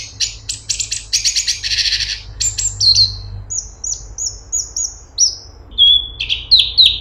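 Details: Grey-cheeked bulbul (cungkok) opens with harsh, rapid buzzy rattles. It then shifts to a series of clear high whistled notes that slide down. The song ends with sharp descending chirps, all close and loud.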